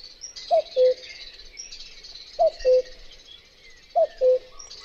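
A common cuckoo repeats its two-note "cu-coo", the first note higher, the second lower and longer, about every two seconds over faint high insect hiss.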